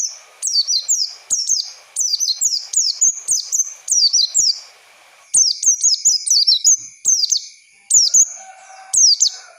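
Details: Oriental white-eye song played as a lure for young birds to learn from: nearly continuous runs of bright, high, down-slurred chirps in several long phrases, a steady high hum behind.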